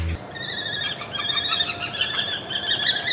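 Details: A Common Kestrel (Falco tinnunculus), in a Sri Lankan bird feature, gives a run of shrill, thin, ringing notes in quick, uneven succession, possibly with soft music underneath.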